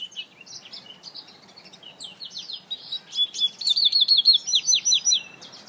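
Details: An African citril hybrid (mule) gives a high, sweet finch song: scattered chirps and twitters, then a quick run of about ten bright, repeated notes, over faint background hiss.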